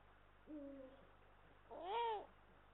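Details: At an Estonian nest on 18 March 2022, a male and female Eurasian eagle-owl are heard through a live camera: a brief flat, level note followed by a louder rising-then-falling harmonic wail, over low hum.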